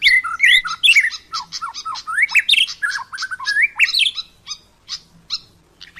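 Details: White-rumped shama in the wild, singing a rapid, varied song of whistled notes sliding up and down, mixed with harsh chattering bursts and short sharp chips near the end.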